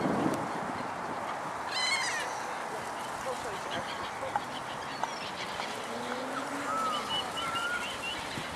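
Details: Black swans in an urban setting in Antwerp, Belgium, on 06-02-2011, give short trumpeting honks and a few soft rising whistles over a steady hiss of background noise and other waterfowl.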